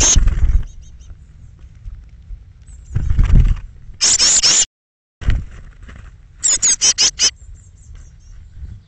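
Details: Eurasian blue tit nest box, 21 May 2017, morning fledging of thirteen young between 06:00 and 08:00; a long harsh buzzy call followed later by a rapid run of five high, clipped notes, with heavy low knocks and bumping.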